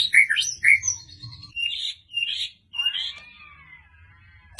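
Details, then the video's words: White-rumped shama from Medan, singing very persistently and delivering sharp 'shots': varied loud whistled notes and slurred phrases, then a buzzy, wavering note and a trailing series of fainter notes ending in a click. "murai batu Medan, super ngotot keluarin semua tembakan tajam?!!"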